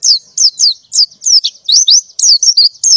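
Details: Female white-eye in breeding condition calling for a mate in the morning: clear, high downslurred chirps repeated about four times a second, some with a short twist.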